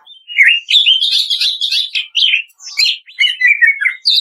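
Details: Greater green leafbird in 'kretekan' song style, master audio for training birds to sing: a rapid run of clear whistled and trilled notes that swoop up and down, with short gaps and a higher phrase at the end.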